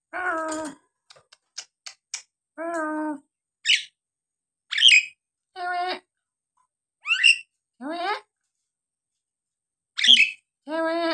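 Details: Nias hill myna calling vigorously, played to provoke lazy birds into singing: rich, nasal, harmonic calls alternate with short sharp whistles and clicks, spaced a second or two apart.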